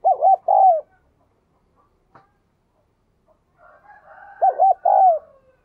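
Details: Spotted dove kept in captivity, prized for its 'đồng kim' voice and eager cooing, used to stimulate wild-caught birds to coo: two soft, hooting coo phrases about four seconds apart, each ending in a long falling note, with faint background sounds between.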